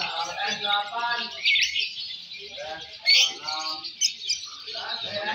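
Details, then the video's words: Competition lovebirds in the M1 and M2 fighter sessions at a Balibu contest pour out a steady, piercing trill-like chatter, punctuated by sharper squeaky bursts, while people murmur and call out nearby. "Suara Burung Loverbird Fighter M1, M2 Balibu Saat Lomba"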